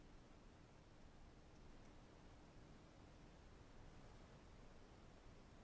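Very faint background hiss with a few soft ticks and rustles and no animal calls.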